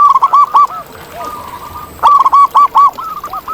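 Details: Singing zebra dove in its natural habitat, loud bursts of rapid, rolling coos broken into short stuttered notes, two phrases separated by a pause with a softer coo between.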